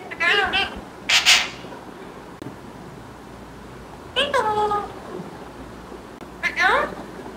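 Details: Green pet parrot utters a wavering harmonic phrase and a harsh noisy squawk, then two more falling, overtone-rich calls after long pauses, in a quiet room.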